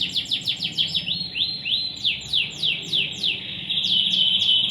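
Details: Vigorous gacor canary song: a rapid run of falling chirps, then slower, evenly spaced down-slurred whistles, closing on a sustained steady high tone with a quick trill.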